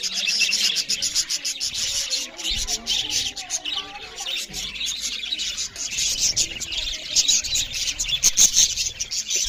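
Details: Loud budgerigar chirping while the birds eat; a sustained chorus of raspy high warbles and chatter, with soft lower whistled notes weaving underneath and brief low thumps.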